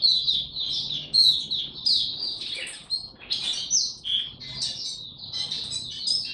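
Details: Continuous high twittering song of a caged Oriental white-eye being brought into form, a busy jumble of slurred, chirping notes with varied pitch and a few harsher squeaky sounds, over faint low background noise.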